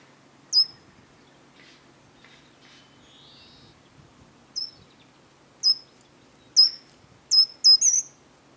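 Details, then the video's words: Short-toed treecreeper giving sharp, very high, piercing single calls at irregular intervals, with a quieter, thin, trilled song phrase early on; countryside of central France, Nouvelle-Aquitaine, 13 March 2018. "GRIMPEREAU des Jardins/Cris et Chant !"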